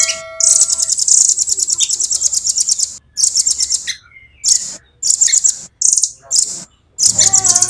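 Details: Velvet-fronted nuthatch in a cage singing a long high rolling trill of rapid even pulses, then a string of shorter sharp bursts separated by quiet gaps.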